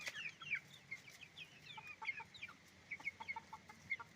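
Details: On a chicken farm, roosters and hens make a busy stream of short, high peeping chirps, some sliding upward, overlapping from many birds without pause.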